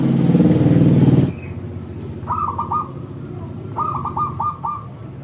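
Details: Zebra dove of local stock using its thick clear voice as a lure for other doves: a loud low rumbling noise first, then two short runs of rapid looping coos, three then five notes.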